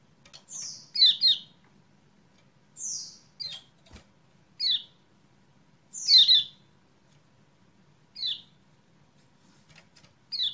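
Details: Kecial kuning chirps from a lure track to get sluggish birds singing, 28/11/20: scattered high whistled and doubled chirped notes over ten seconds, some thin rising slides, with a single sharp click midway.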